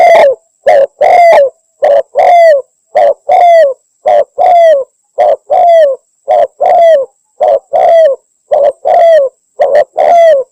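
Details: Spotted dove female calling to a male, used by hunters as a lure; an unbroken, regular series of paired low coos, roughly one pair per second, each pair ending in a drawn, slightly falling note.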